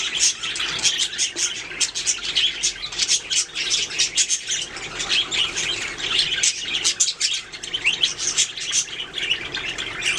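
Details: A group of budgerigars singing and chirping, their busy warbling chatter packed with rapid high twitters, scratchy squawks and clicking notes that keep going without pause for ten seconds.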